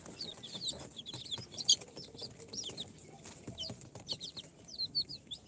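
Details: Shrill downward-sliding peeps from a group of four-day-old chicks hatched in an incubator, Sultan, Golden Sebright, Cochin and booted types. The calls come in uneven clusters, with occasional soft knocks and rustles.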